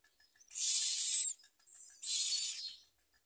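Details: Common myna chicks with their mother at the nest, reluctant to eat and trying to bite her; two long, noisy hissing rasps, the first nearly a second, the second slightly shorter.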